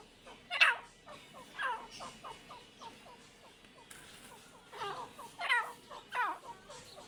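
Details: Pair of Irani teetar partridges calling: rough bursts with falling notes come at irregular intervals, separated by rows of short soft chirps, over a steady background hiss.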